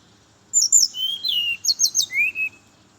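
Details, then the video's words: Brown-chested jungle flycatcher singing in the morning, used as a lure for others of its kind: a clear phrase of high sliding whistles, then a run of three quick descending notes and a final lower rising whistle. "Suara merdu burung SRDC (sikatan rimba dada coklat) di pagi hari, pancingan buat srdc lain"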